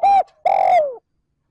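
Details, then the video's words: Spotted dove giving a steady call to stimulate decoy birds: a brief low coo, then a longer coo sliding slightly downward at the end. "Tiếng cu gáy trơn ròng thúc gù gáy kích bổi nhanh nổi / Cu gáy gọi trơn ròng"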